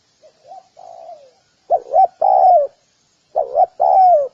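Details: Spotted dove giving mellow low coos, faint softer notes first, then two loud phrases of two quick notes and a long descending coo, about two seconds apart; clean background.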